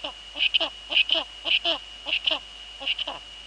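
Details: Eurasian eagle-owl female at her nest in the Netherlands, male close by, evening of 2 February 2013 at 19:15: paired short downslurred notes repeated about every half second, under a constant thin electronic whine.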